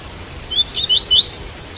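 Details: Rain sound accompanies a white-collared seedeater's song, a longer run of about eight sweet, sliding whistles that climb steadily higher, with the last notes clipped at the end.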